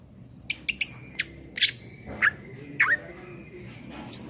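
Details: Greater green leafbird singing briskly, a tutor track for cage birds: scattered sharp chips and short downslurred whistles spaced irregularly, over a faint thin tone and low background rumble.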